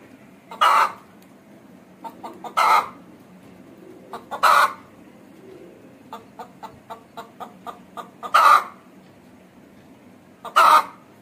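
An Aseel hen gives loud, harsh squawking calls about every two seconds, with quieter rapid clucks in between.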